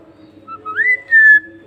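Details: Talking pet parrot imitating human words with two clear whistled syllables, a short rising note followed by a longer, louder level tone, against a quiet room hum.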